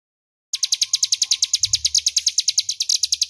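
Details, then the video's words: Crescent-chested warbler, clear and loud ngebren song for training magpie-robins: silence, then a burst of rapid high-pitched repeated notes about three per second carrying through to the end, with faint low rumbling. "suara Ciblek Gunung Ngebren jernih keras berjeda 10 detik"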